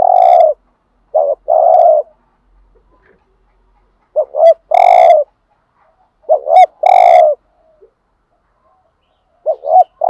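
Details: Loud, close spotted dove lure bird bought in Dak Lak, Vietnam, meant to rile up rival males: a stuttered double coo and then a long, rich, slightly falling coo, repeated about every three seconds with pauses.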